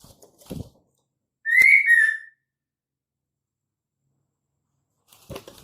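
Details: A single loud rising whistle, slurred and ringing, from a female white-rumped shama, the call used to provoke males into singing. Soft knocks and rustling come before and after.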